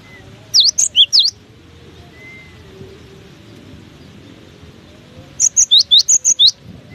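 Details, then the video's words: Cinereous tit singing through strong gusts: two phrases several seconds apart, each of about five rapid, high, whistled notes, the first with down-up slurs and the second with quick falling notes, with a continuous wind hiss between. "Diterpa angin kencang! burung gelatik batu ini tetap gacor"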